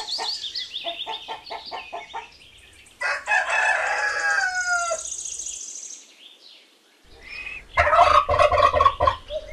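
A turkey's rapid, rattling gobble tumbles downward in pitch over about three seconds, followed by a second harsh burst. Chirpy bird calls and background music are also heard.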